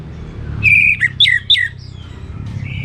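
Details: Orange-headed thrush delivering a short burst of its richly varied 'gacor teler' song: one level whistle, then two downward-sweeping slurred notes and a fainter trailing whistle, over a low rumble.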